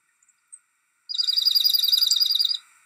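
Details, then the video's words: Dark-eyed junco calling. After a few faint ticks, a rapid, dry, buzzy trill of evenly repeated notes runs for about one and a half seconds and then stops. "Dark-eyed Junco - Call"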